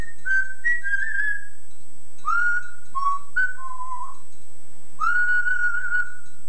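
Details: Kelly, a male yellow-naped amazon parrot on a roughly 15-year-old tape, gives a run of clear sung whistled phrases, some wavering and some steady, over a low hum; he learned to mimic his owner's singing voice.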